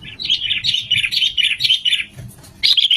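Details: Sooty-headed bulbul song played as a lure for trapping: a steady run of loud, chattering, bubbly notes in quick succession, pausing briefly before another burst starts.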